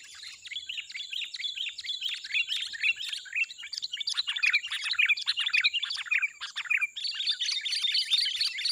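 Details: Lively chatter from wild sooty-headed bulbuls during lure trapping: dense, overlapping bright chirps and warbled notes run almost without pause, with a thin constant high tone underneath.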